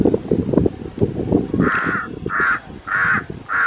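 A crow gives four harsh, nasal caws, spaced about half a second apart, after a second of low rumbling background noise.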